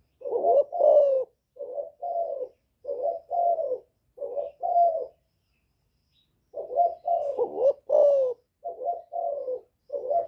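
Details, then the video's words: Spotted dove giving its Thổ-style call to draw out rival males: two series of short, deep coos, each note slightly falling, separated by a pause of about two seconds. "Cu Gáy Giọng Thổ GÁY GỌI kích bổi"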